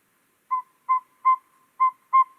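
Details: A Northern Saw-whet Owl, a very small, hard-to-find owl of spruce and coniferous woods, gives five clear, whistled toots on one steady mid pitch, evenly spaced about two or three per second, with nothing else heard.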